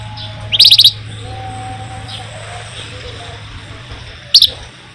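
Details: Flamboyan used as a lure for songbirds, giving two brief rapid trills several seconds apart. Each is a tight run of bright high notes over a steady low hum.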